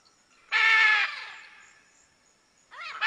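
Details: Red-and-green macaw giving one loud, harsh, raucous squawk of about half a second, then silence before a second rough call begins at the very end.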